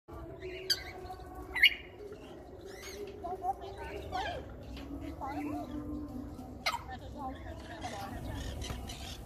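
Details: Pet African grey parrot talking non-stop: speech-like chattering with varied vowel-like syllables, broken by a few sharp, high whistled notes, over a low steady household hum.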